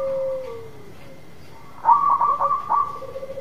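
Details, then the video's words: Singing local zebra dove, used to stir a silent dove into song: a long coo sliding downward, a pause, then a rapid stuttered series of high, clipped notes. "Perkutut lokal gacor memikat perkutut yang macet bunyi"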